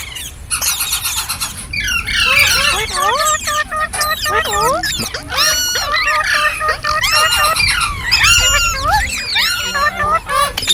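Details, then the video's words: Ringneck parrot with talking, singing and funny sounds: shrill squealing notes and swooping whistles alternate with chattered, speech-like phrases, delivered in rapid bursts separated by brief pauses. "Ringneck Parrot | Talking, Singing & Funny Sounds"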